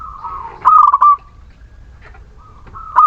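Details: A single phrase from a local Muria zebra dove, played to stimulate reluctant doves. A soft level coo leads into a rapid stuttered burst, then a quiet gap, and the next phrase begins.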